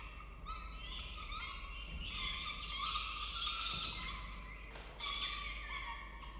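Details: Peregrine falcons at a camera-watched nest in Orange, Australia as the male arrives with food; rapid, harsh, harmonic cries overlap in a noisy, rising chorus, with a brief pause near five seconds.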